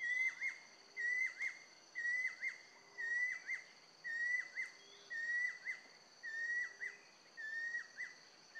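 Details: A female banded kingfisher calling the male gives clear whistled notes that rise then drop, about once a second, over a steady high insect drone.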